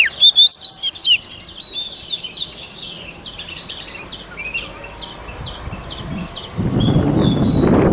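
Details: Voice-training song of a white-rumped shama: loud clear whistles in the first second, then a series of short high notes repeated about four times a second, and a rushing low noise near the end.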